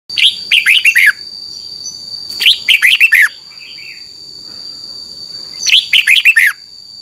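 Red-whiskered bulbul giving three bursts of quick, bubbly whistled phrases, each about a second long, over a steady thin high whine.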